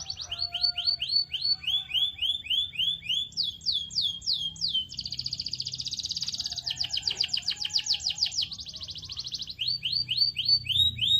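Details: Canary singing as a stimulant for other canaries: fast series of high slurred notes, a long pulsing buzzy trill in the middle, and a return to crisp repeated descending chirps.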